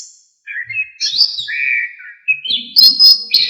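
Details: Song of an orange-headed thrush (anis kembang), recorded as training material for songbirds: a short sequence of clear whistled notes, a high slur, a long level whistle, then buzzy, clicky phrases to finish.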